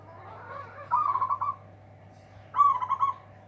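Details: Local zebra dove giving a loud song to overpower rivals: two quick, trilled cooing phrases about a second and a half apart, with a constant low hum behind.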